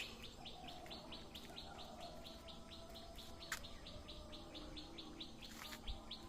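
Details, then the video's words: Birds chirping in a lush green village setting in Assam, India: a fast, steady run of short high chirps, about six per second, over a low rumbling background hum, with a couple of sharp clicks. "#birds #chirping"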